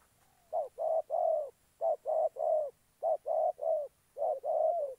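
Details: Spotted dove decoy used for trapping in Gia Lai, cooing in groups of three low hollow notes, the last longest, with each group repeated about every 1.2 seconds over quiet background.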